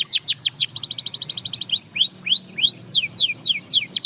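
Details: Canary singing that stirs others to sing: quick falling whistles, a fast high tinkling trill, then slow rising-falling looped whistles and more rapid descending notes in a varied, energetic phrase.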